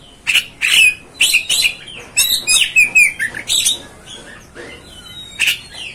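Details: Oriental magpie-robin with a rapid, varied phrase of harsh squawky notes and sliding whistles packed closely together, followed by quieter thin whistles and a final rasping burst.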